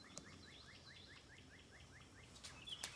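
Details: Wild Carolina wren singing outside a tent holding hand-raised orphaned wrens: a fast run of about ten identical rising, slurred notes, evenly spaced, with faint background noise and a few sharp clicks near the end.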